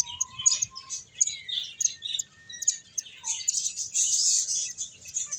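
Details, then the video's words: Finches feeding and playing: short high tweets and a few level whistled notes, building into a dense, loud burst of chirping in the second half. "Cute Birds Chirping Sounds | Beautiful Finches Playing and Eating"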